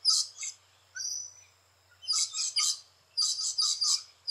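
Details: Rainbow lorikeets at nesting holes in Australia let out grating, high screeches in clusters, with a thin drawn-out whistle between bursts and a faint low hum in the background.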